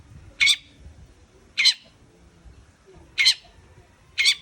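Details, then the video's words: Long-tailed shrike giving four loud, grating rasps at intervals of about one and a half seconds, each brief and scratchy, with a quiet background. "CENDET YANG MALAS BUNYI PASTI AKAN GACOR KEMBALI"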